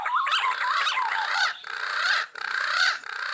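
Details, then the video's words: Green pigeon calling in the wild: a run of wavering, warbled whistles, rising and falling in short phrases, with breaks of about a second, over a hissy background. "Suara Burung Punai Gacor Di Alam Liar"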